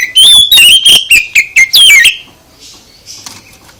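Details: Song of an oriental magpie-robin used to make other birds answer: a quick series of loud, clear whistled notes stepping downward, then fading into faint soft chirps.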